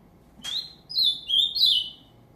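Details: Song of a bred ultramarine grosbeak: after a brief sharp click, three sweet whistled notes, rising then sliding and wavering downward, delivered in just over a second against quiet background hum.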